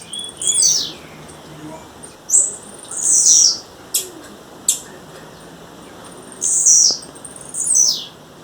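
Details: Female blue-black grassquit heard in the wild giving high, buzzy, downward-sweeping calls in pairs, separated by isolated sharp clicks.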